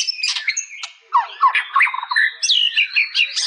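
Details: White-rumped shama giving harsh squawky notes, followed by a lively mix of dipping whistles, quick warbles and high slurred phrases delivered in rapid succession.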